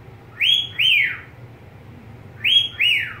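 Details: Two-note swooping whistles from a pet budgerigar, the rising-then-falling pair given twice about two seconds apart, steady low background hum.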